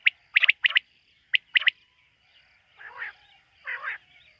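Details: Quail at night, in a quail-hunting context: several fast two- and three-note whistled phrases, then a pause and two softer, hoarse, burry calls, ending with one more sharp note.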